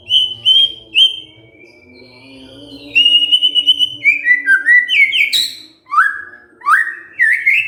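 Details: A provoked white-rumped shama answering: clear high whistles, then a run of rapid bouncing notes and sharp up-slurred whistles, over steady low humming tones in the background.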